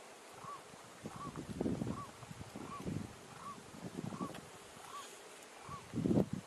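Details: In Minas Gerais, Brazil, a feeding blue-eyed ground dove utters a regular string of soft hooting notes, eight in about six seconds, interrupted by bursts of low rustling and scraping.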